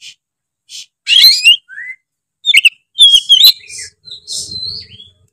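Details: Oriental magpie-robin singing in loud, open ngeplong style, meant to rile other magpie-robins: separate bursts of sharp whistles, slurred rising and falling notes and scratchy chips, spaced by short silences.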